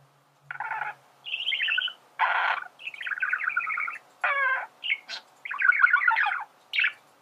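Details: Male budgerigar singing, a recording meant to teach birds to sing: chattering warble of buzzy, rapidly modulated bursts broken by short pauses, with scratchy notes and brief clicks.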